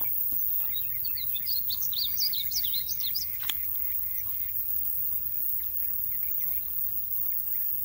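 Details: Painted bunting singing in Royse City, Texas, on 8 June 2020: a rapid, high, tumbling warble of sweet notes lasting about three seconds, then fainter scattered chirps over a steady background hiss.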